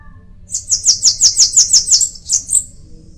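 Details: Bananaquit song: a quick run of about ten thin, high, sibilant notes delivered in under two seconds, the last few trailing off softer and slightly higher, against a quiet background.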